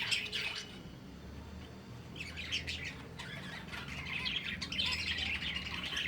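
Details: Breeding finches give bursts of high, quick chirps separated by quieter gaps, with a low background hum beneath. The calling grows busier in the second half.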